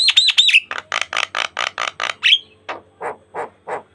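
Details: Training lure of Asian pied starling song: three looping whistles, a run of eight harsh buzzy pulses, a rising whistle, then slower, lower grating notes.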